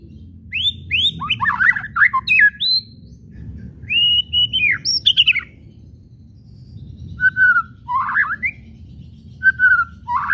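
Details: White-rumped shama song for provoking other shamas: bursts of rising whistles and chattering, then spaced short phrases of a flat whistled note followed by a quick twisting flourish.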